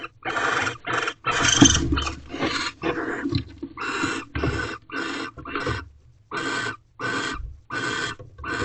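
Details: Mating barn owls in a nest box at night, after the male returned with a large rodent. Rapid, repeated harsh rasping calls follow one another in quick bursts.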